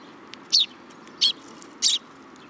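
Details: Young sparrow fledglings perching on a hand at a shrine, filmed in July 2022, give three short, high chirps spaced about half a second to a second apart over steady background hum.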